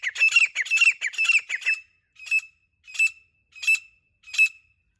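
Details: Female grey francolin, from a hunting context, giving harsh, squawky notes: a rapid run of about ten grating notes, then single spaced notes roughly every 0.7 seconds, loud and high-pitched against a quiet background.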